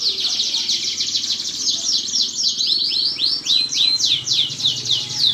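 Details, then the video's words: Canary lure song meant to get canaries singing actively: dense, fast high trills and rolling twitters, shifting into repeated downward-swept whistled notes in the second half, with a faint low hum underneath. "PANCINGAN KENARI GACOR PALING DICARI.DIJAMIN AMPUH BIKIN KENARI JADI GACOR"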